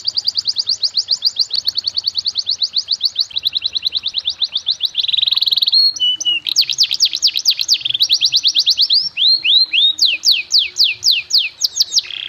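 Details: Canary tutor song in the luxurious 'cengkok mewah' style, used to train young birds: long fast rolling trills, then a buzzy flat tour, then loud downward-sweeping whistled notes in quick series, each phrase changing pattern.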